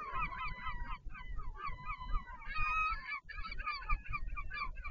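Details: Northern royal albatross at a nest in the colony at Taiaroa Head near Dunedin, New Zealand, during a parent changeover on 14 February 2019, filmed by a nest camera. Loud, harsh honking calls with rich harmonics come in rapid bursts, with low wind rumble beneath.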